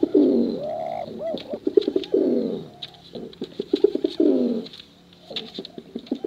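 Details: Male and female pigeons cooing, for luring squabs; loud rolling coos in two strong bursts with quieter clicking and fluttering between, a pause near the end.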